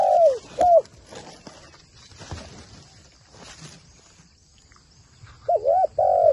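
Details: Trained decoy spotted dove used for bird trapping: two short, loud, hoarse cooing notes at the start, a quiet stretch with rustling and footsteps, then two more cooing phrases at the end over a thin high insect hum.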